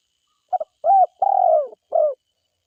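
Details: Spotted dove from the forest giving one low cooing phrase: a short clipped note, then two longer mellow coos, the second drawn out and falling, ending on a shorter coo; no other sounds.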